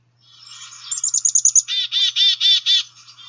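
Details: Black-capped Chickadee, one of its varied calls, played from a field-guide app: a quick run of about seven thin, high notes, then five harsh, buzzy notes. Close and clear, with no other sounds.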